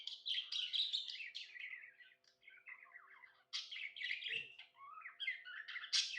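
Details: Domestic budgerigar in a happy mood giving quick scratchy chirps and warbled chatter in two loud bursts, with a quieter lower twittering stretch and one faint low knock between them.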